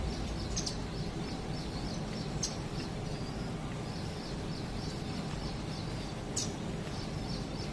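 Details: Indian silverbill in Bhopal giving thin, high chipping notes repeated in a steady series throughout, a few sharper clicks among them, over a loud steady low background rumble.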